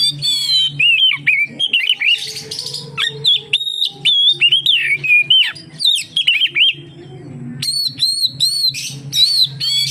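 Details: Oriental magpie-robin song meant to draw other magpie-robins into singing: long run of bright whistled slurs, buzzy chatters and quick repeated notes with few gaps, faint low hum behind.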